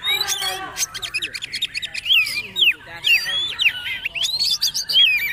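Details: Magpie-robin (kacer/poci) singing in the trotol style, used as training audio for birds to copy: loud, rapid, varied whistled phrases with sharp rising and falling slurs and chattering notes, delivered in quick bursts.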